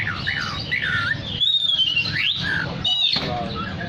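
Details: Oriental magpie-robin in full chatty song, meant to draw other magpie-robins: varied looping whistles rising and falling in mid to high pitch, several rapid phrases in under four seconds, with steady low background noise.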